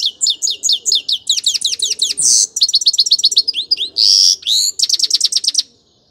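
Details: Continuous song of a grey-crowned goldfinch, a lively stream of high, quick twittering and tinkling notes mixed with a few harsher buzzy phrases, delivered without a break for over five seconds.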